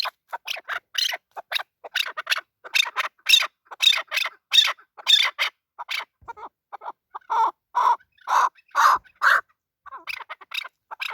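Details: Male chukar partridge calling with a run of harsh clucking notes, then a short pause followed by louder, fuller chuck notes repeated roughly twice per second.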